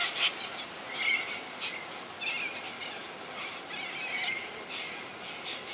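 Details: Corellas at Minkie Lagoon, Coopers Creek, near Innamincka in South Australia. Rasping screeches come in bursts roughly every second over a background of softer chattering from the flock.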